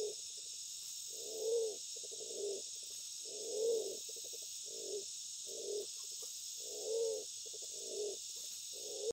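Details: Black-naped fruit dove, known locally as Walik Bondol, calling for a female in the breeding season: a long run of low hooting coos roughly every second, louder arched notes recurring, quick stuttered notes between, and a continuous high insect drone.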